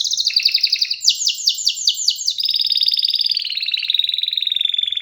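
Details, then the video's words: Canary song that changes tour quickly: a bright trill, a few loud descending slurred notes, then a long, even, fast rolling trill at high pitch. "جميع طيور الكناري سوف تغني بعد الاستماع إليها Canary singing"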